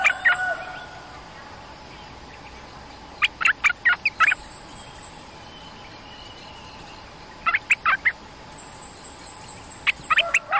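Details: Cream-vented bulbul, a territorial resident bird drawn down to a lure cage, giving clipped bursts of sharp chirpy notes in clusters of four or five, around four seconds apart, with a faint steady hiss behind.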